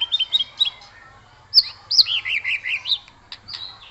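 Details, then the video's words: Aggressive white-rumped shama song, meant to provoke other shamas into singing and fighting: short whistled notes, then a string of clear, rippling, wavering whistles and sharp high accents over a quiet background. "Murai Batu Ngamuk Rekomended untuk Pancing MB lain ikut Gacor + Fighter"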